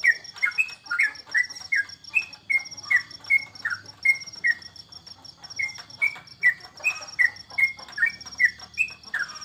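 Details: Yellow-vented bulbul, a caged contest bird kept at home during the corona lockdown, delivering a long run of quick liquid chirped notes, two or three per second, over a constant high-pitched whine and faint background hum.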